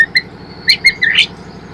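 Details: White-rumped shama song used as a lure to train birds to sing: brief whistled notes, then a harsh rising squeal, over a steady low hum.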